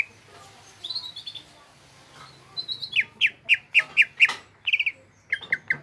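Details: Greater green leafbird, kept as a cage bird in Indonesia, singing in a lively gropyokan style: faint high trills at first, then a run of sharp downslurred chirps repeated about twice a second, with a low hum underneath.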